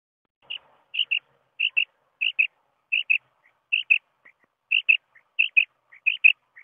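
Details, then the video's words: Common quail (bater) giving a steady series of high, clipped double notes, each pair sharp and close together, repeated roughly every 0.6 seconds, with faint softer single notes between them. "Bater ki awaz"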